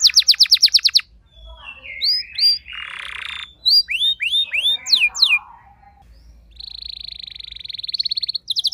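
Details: Home-kept canary, not a strong singer, replying at once to another singer with long rolling song: fast high trill, rising slurred whistles, a harsh buzzy burst, then a steady rapid trill near the end.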